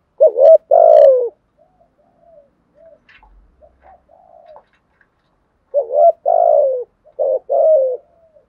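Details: Spotted dove in thúc and gù style: a paired coo, a quiet stretch with faint murmuring notes, then two more paired coos, each a quick note before a drawn-out falling coo.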